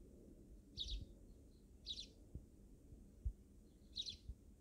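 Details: Wild sparrows in a backyard, three short bursts of high chirping about a second apart, with soft low knocks and rumbling background.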